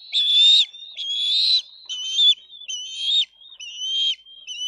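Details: Bald eagle eaglets in a nest, 22 May 2023, Dade County, squabbling over food as an adult delivers fish; a run of six high, thin, strained screams, each ending in a downward slur, closely spaced.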